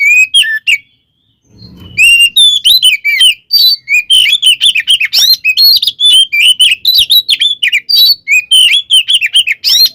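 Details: Kacer or Oriental magpie-robin fighting song used as a lure to anger other males: a few notes, a quiet second with a soft rustle, then a long fast stream of varied whistles and chatter.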